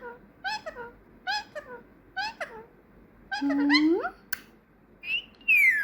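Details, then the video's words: Female pet parrot, trained over several months to say Peekaboo, Thank You and Muah and lately to whistle. Four short harmonic bursts, each falling, are followed by a sharp click and then long gliding whistles, one rising and one falling. "Says Peekaboo, Thank You, Muah, Whistling"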